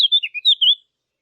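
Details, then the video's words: A bird gives a short burst of five or six clear, high chirps, some level and some slurring downward, over less than a second, then falls silent in an otherwise quiet setting. "نصف ساعة من صوت العصافير الجميل ، Yarım saat kuş cıvıltısı ، Half an hour of birds chirping"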